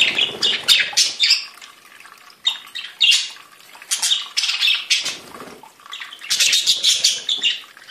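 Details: Different budgerigars giving raspy warbling chatter in clusters of quick notes, separated by pauses, with faint low rustling in the background.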